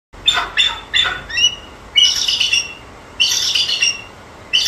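A Bald Eagle gives thin, high piping notes: three quick squeaky chirps, then two longer stuttering, giggling series. Nothing else stands out.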